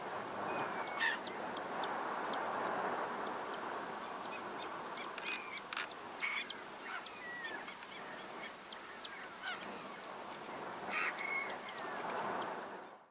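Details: Black-winged Stilt (nominate Himantopus h. himantopus) in the Camargue, France, in August 2019, giving sharp, nasal yapping notes, scattered irregularly and sometimes in quick bursts, over a steady rushing background of wind or water.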